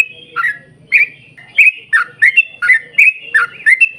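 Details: Yellow-vented bulbul pouring out its long 'ropel' song, played to coax other bulbuls to sing; after a quiet start, about nine loud bubbly whistled notes follow at an even, brisk pace.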